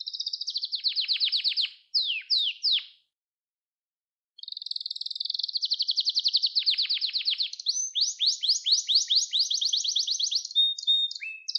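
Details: Song of a canary meant to train young canaries: a rapid high trill and two sweeping notes, about a second and a half of silence, then a long fast rolling trill changing into quicker, brighter repeated notes.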